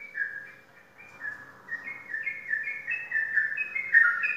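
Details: Caged Sooty-headed bulbul, an Indonesian contest bird credited with winning championships at every competition entered, sings a steady string of clear whistled notes that step up and down in pitch, growing louder and slightly higher toward the end.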